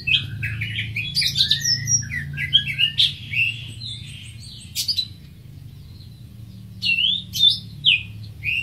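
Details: Greater green leafbird pouring out varied whistled and chirped notes, some rising, some falling, then a quiet stretch before a final cluster of bright slurred calls.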